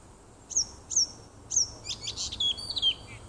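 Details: Nightingale singing in a small wood near a home on 30 June 2015: three sharp, high, downward-slurred whistles, then a quick jumble of clicks and short whistled notes.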